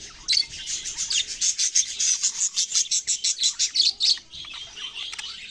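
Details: Australian parrots chirping in a rapid run of bright, evenly pulsed notes for about four seconds, then softer scattered twittering from the flock.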